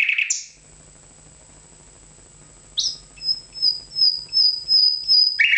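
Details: Nightingale song: a short buzzy note, over two seconds of quiet, then a rapid run of high, thin, pulsing notes that grows louder toward the end, over a faint steady low hum.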